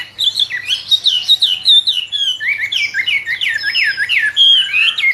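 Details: Captive-bred albino hwamei delivering a fast, rich warble of looping whistles and downward slurs, dense rapid phrases with a brief sustained pure note near the end.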